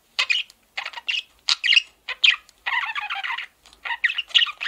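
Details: Pet male budgie sounds: separate sharp chirps and squeaky notes, then a longer gravelly chattering phrase, followed by more quick chirps.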